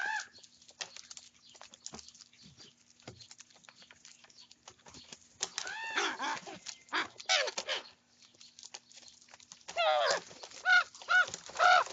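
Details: Young common ravens eating breakfast and squabbling over food. Scattered clicks and pecking, then a run of loud, harsh, rising-and-falling squawks in the second half, ending with several rapid, nasal, repeated calls.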